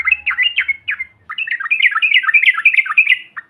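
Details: Yellow-vented bulbul trucukan, a provoking call meant to set other birds calling. Loud bubbly warbles tumble up and down in quick succession, then a longer, almost continuous chattering run of liquid notes follows.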